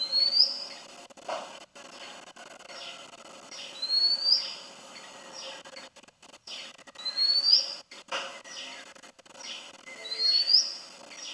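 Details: A perched Oriental magpie-robin singing in a garden, cultivation or scrubland habitat, giving clear, rising whistled phrases about every three seconds, each ending in a sharp flourish, over a faint hum of insects.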